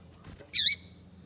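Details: Female double-collared seedeater giving a call meant to stir the male into song: one short, harsh, high chip with a slight downward tail, over a quiet low hum.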